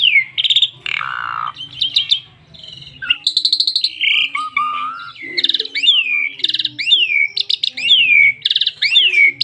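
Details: Asian pied starling in full song, used to coax other starlings into singing: a long varied medley of descending whistles, grating rattles and buzzy chatter, with repeated slurred downward notes toward the end.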